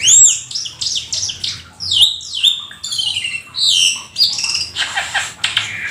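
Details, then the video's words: Black-winged starling pouring out a lively song stuffed with mimicked phrases: high sweeping whistles, rapid chattering trills and harsh squawks in quick succession. "Jalak Keling gacor full isian si burung langka nan EXOTIS"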